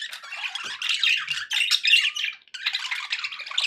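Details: Parakeets chattering for the company of pet budgies: scratchy, buzzy warbles and chirps in a steady stream, one short pause near the middle.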